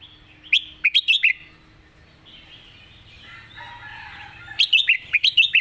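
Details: Red-whiskered bulbul kept for song contests, giving its 'master song': a lively burst of swooping whistles, a pause filled with faint warbling, then a second brisk run of bouncing notes.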